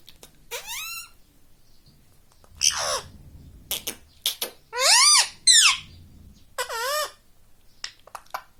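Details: Pet rose-ringed parakeet indoors imitating speech such as "mummy": scattered bright, warbling word-like syllables with swooping pitch, separated by short pauses, with faint low room noise beneath.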